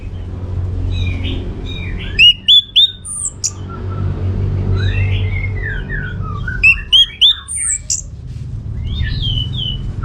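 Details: Orange-headed thrush in lively song, used to provoke other birds into answering: two bursts of varied whistled and squeaky phrases, rising and falling notes in quick succession, with quieter warbling between and low background rumble.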